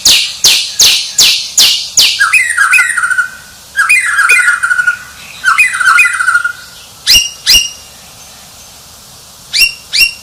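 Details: Champion White-rumped shama starting with a string of sharp, high, evenly spaced notes, then rich, lower warbling phrases, followed by sparse single high clicks with pauses.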